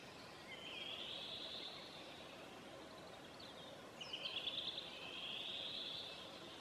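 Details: A distant Redwing (Turdus iliacus) sings in a local dialect at midsummer in Southern Savonia, Finland: a quick run of short high notes between two longer, hoarse twittering phrases, over steady background noise.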